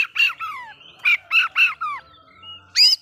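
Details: Oriental magpie-robin singing to provoke other magpie-robins: harsh, rasping notes alternating with clear falling whistles, a few phrases spread over three seconds with short pauses between them.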